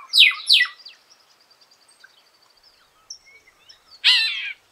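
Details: Golden-winged cacique (Cacicus chrysopterus) recorded in the wild in Paraná state, Brazil, giving two loud, harsh, rich notes, then a thin trill of faint ticks and a final harsh burst after a pause.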